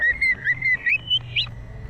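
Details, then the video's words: Green leafbird in full 2023 song. A brief flowing chain of even, clear whistles gradually climbs in pitch and ends on a sharp high note. "burung cucak IJO GACOR FULL ISI AUTO MANTAP"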